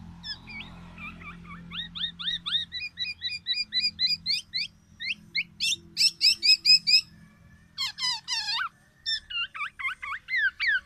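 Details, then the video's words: Loud, distinctive song from a tame, freely singing black-naped oriole: a long run of rapid upslurred chirps accelerating into dense clusters of high notes, then varied looping and buzzy phrases, roughly two notes a second. "kepodang emas , black naped oriole,jinak dan gacor."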